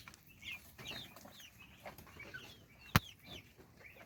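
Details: Several young chicks at mealtime give quick, high, descending cheeps that overlap one another. A single sharp knock sounds near the end, with rustling noise throughout.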